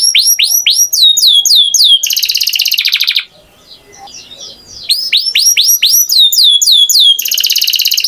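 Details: Singing canary: quick descending swoops and a dense rolling trill, a short pause of about a second and a half, then more swoops and another trill.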